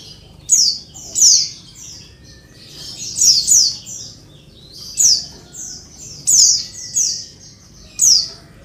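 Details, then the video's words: A female Oriental white-eye gives noisy calls meant to get males singing fast like wild birds; thin, high descending chirps come in clusters of two or three with brief gaps. "suara pleci betina ribut bikin jantan langsung ngalas"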